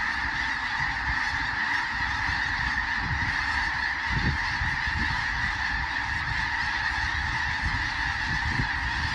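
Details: A flock of several thousand geese honking all at once, a dense, continuous roar of overlapping nasal calls with no pauses.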